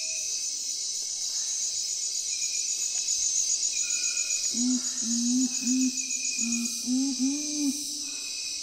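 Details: Nocturnal curassow voice: a string of deep, resonant hoots, each slightly rising, starting mid-clip and building toward the end. A constant high insect chorus fills the background.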